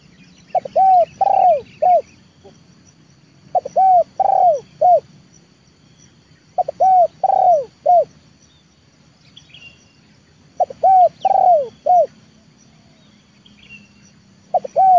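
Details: Leopard-type spotted dove trained as a decoy, calling to bring wild doves down to the yard. The same coo phrase repeats about every three and a half seconds: quick stutter, two long arched notes, short closing notes. Faint chirps of small birds behind.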